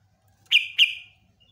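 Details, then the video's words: Sooty-headed bulbul, from a long song used as a lure; two sharp, bright notes in quick succession, each trailing into a sustained whistled tail. "BURUNG TRUCUKAN GACOR ROPELAN PANJANG"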